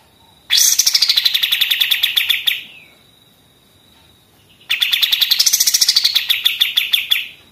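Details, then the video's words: Pied triller song in the rapid 'machine gun' style, for training other songbirds: two bursts of about two seconds each, each a fast run of sharp, high, clipped notes that rise briefly in pitch and then settle, with a pause between. "kapas tembak gacor senapan mesin, mantap untuk masteran"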